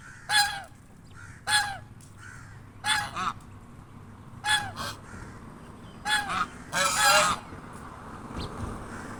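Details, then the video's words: A pair of swans resting in the shade under a bush on a sunny day give loud, brassy honking calls, single or paired notes repeated every second or so, over a low background rumble. "Swans making sounds reminding their presence"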